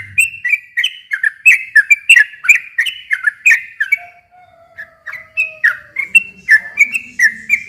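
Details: Lure song of a sooty-headed bulbul, meant to make a silent bird sing back. A fast burst of chattering whistled notes, a brief lull with a faint thin tone, then more spaced, clear whistles.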